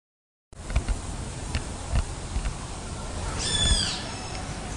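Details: Golden-crowned Warbler, recorded at a botanical garden in São Paulo, Brazil, on 21 January 2016, gives one brief phrase of quick, high, clear notes near the end, over a steady low rumble with a few scattered knocks.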